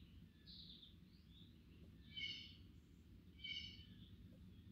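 Scarlet Tanager song: a few hoarse, burry phrases spaced about a second apart, like a robin with a sore throat, over a low steady rumble.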